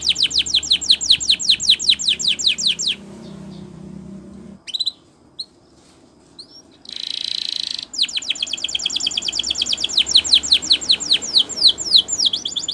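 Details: Gloster canary singing for training: long runs of rapid repeated descending chirps, a pause with faint clicks, a short buzzy burst, then a lengthy fast chirping series again.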